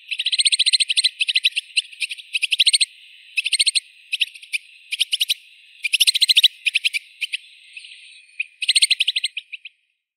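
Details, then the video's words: White-winged snowfinch (Montifringilla nivalis) gives bursts of rapid, buzzy chattering trills, each about half a second long, repeated in quick series with short pauses. "Голоса птиц. Воробей снежный (Montifringilla nivalis)"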